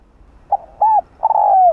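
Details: Spotted dove in the 'rặc đồng' voice style giving a calling coo meant to stir other males: a short note, a hooked coo, then a long, slowly falling hoarse coo, all mid-pitched and clean.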